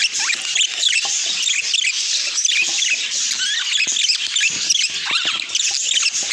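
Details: Pet budgies keep up a busy stream of high-pitched chirps, warbles and scratchy twitters, layered so thickly that single calls blur into one lively, steady chatter.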